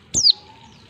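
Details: Single female white-eye note, used to prompt males to answer: a bright, piercing whistle sliding steeply downward in under half a second.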